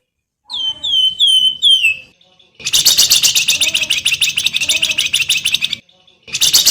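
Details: Javan grey-throated white-eye in master song for cage-bird training: four clear, high, down-slurred whistles, then a long, fast, buzzy chattering trill, a short pause, and the trill starting again.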